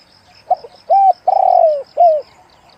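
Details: Deep-voiced spotted dove in the single-'kuk' style: a short opening note, then a long, slightly falling hollow coo and a final clipped coo. Background is quiet, with only faint high ticking.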